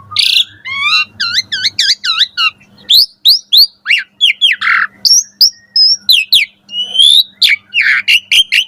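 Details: Caged-bird training song of an Asian pied starling at morning: a fast series of repeated harmonic warbled notes, then varied sharp chirps, rough buzzes and thin high whistles, with a soft hum underneath.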